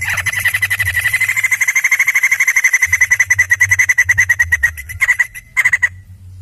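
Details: White-crested laughingthrush (poksay jambul) in full, lively voice: a fast, even run of harsh, rattling notes, about six a second, held on one pitch for some five seconds, then a few broken short bursts; faint low hum underneath.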